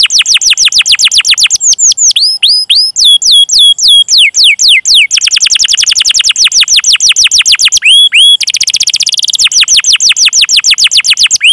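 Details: Canary song used to lure and train canaries: rapid descending whistled sweeps changing tempo through the phrase, with slower looping notes, dense fast trills and a brief pause before a final trill.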